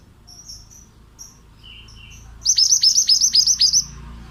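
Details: A male pied bushchat, recorded to tutor other birds, gives a few faint thin whistles, then a loud regular series of about seven high, sharply falling notes, roughly four per second.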